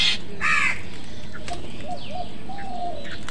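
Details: A crow squabbling with other birds over food gives one short, harsh, broad caw, followed by faint high chirps and whistles from smaller birds over steady low background noise.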